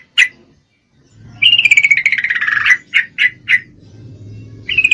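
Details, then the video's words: A female Yellow-vented Bulbul in full breeding condition calls a male: one sharp note, a pause, a long pulsed chattering trill, three quick clipped notes, then the start of another trill, over a low hum. "Trucuk Betina Memangil jantan, full Birahi"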